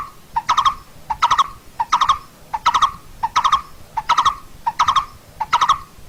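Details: Repeated short, hollow notes from a singing Coppersmith barbet, recorded as training song for birds: each burst holds three or four rapid, clipped tones, and the bursts recur at an even pace of roughly 0.7 seconds.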